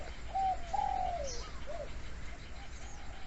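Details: Wild Spotted Dove in mountain forest in Tak province, Thailand, calling a challenge at a hunter's decoy but not yet approaching: a few soft, level-then-falling cooing notes early on, fainter coos later, over steady background hiss.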